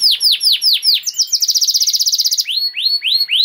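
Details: Canary singing a long, elaborate song used as a master recording to train young birds: rapid downward-sweeping whistles, then a fast dry trill about a second long, then rising upslurred whistled notes, all high-pitched and continuous.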